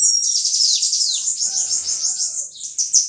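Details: Sibite, or bananaquit, singing a continuous high-pitched, wheezy twitter of quick overlapping down-slurred notes, with faint low tones underneath.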